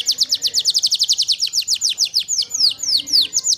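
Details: A champion canary sings a fast, high trill of about eight downward-slurred notes a second, then slows into longer, sweeping whistled notes that fall in pitch.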